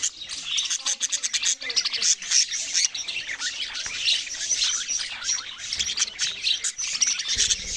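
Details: Parakeet or budgerigar chatter: a busy, unbroken run of high twittering chirps and warbles, fast and irregular, with several birds apparently calling at once.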